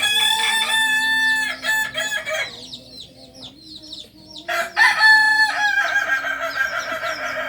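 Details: Native Solok singing chickens, Kokok Balenggek, kept on a farm in Indonesia; layered harmonic crowing, a brief lull with distant calls, then a fresh burst of several overlapping crows.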